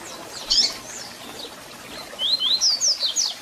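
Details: Double-collared seedeater (Sporophila caerulescens) song, played to stimulate other seedeaters: a brief high twittering burst, then a run of quick whistled notes sweeping up and down over about a second.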